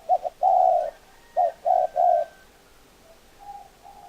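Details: Spotted dove cooing: soft, low hooting notes, with two quick short coos, a longer one, a pause, then three more in a row, followed by fainter, drawn-out coos.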